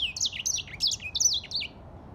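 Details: Short phrase of grey singing finch song, a handful of bright slurred whistles falling and rising in quick succession before fading out.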